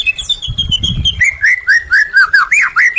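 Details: White-rumped shama song used to stimulate caged birds that have stopped singing: a rapid run of short whistled notes, first a high thin phrase, then lower slurred rising and falling whistles repeated about twice a second, with soft low rustling.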